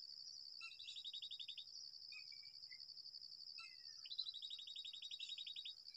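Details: Babblers at a nest in a date palm give two bursts of rapid grating chatter, separated by short falling notes, over a continuous shrill insect trill.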